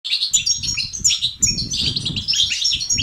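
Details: European goldfinch song in the 'tibtiba' and 'sitsat' styles, played to stimulate males to sing and become active: fast, dense, high twittering with buzzy and tinkling notes, over a soft low rumble of fluttering.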